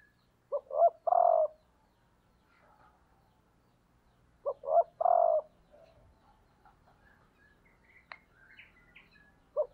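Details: Female spotted dove kept as a decoy, calling to stir males; two deep cooing phrases, each two short notes then a long throaty coo, about four seconds apart, with faint chirps in the background.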